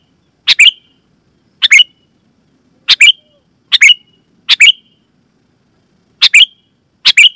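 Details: Sooty-headed bulbul calling, a loud clear sound meant to attract wild and caged bulbuls: seven brisk doubled chirps separated by gaps of about one second, otherwise quiet.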